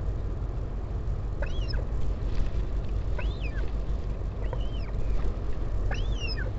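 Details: Northern royal albatross, Taiaroa Head colony near Dunedin, New Zealand, parent visiting chick on 16 July 2019. Four thinner, fainter arched whistles come at roughly 1.5-second intervals against a strong low roar.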